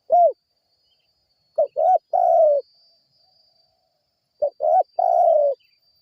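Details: Spotted dove call played as a lure for other birds to answer; low hollow coos, a short note then a stuttered pair and a long drawn coo, repeated after a pause, with a faint thin high tone throughout.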